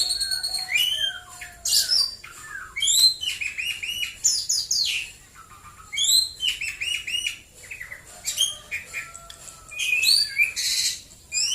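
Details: Morning song of a white-rumped shama, Prambanan, Klaten, Central Java. Bright, high, varied phrases of quick chipping and swooping whistles, with some harsh bursts, are delivered in quick succession.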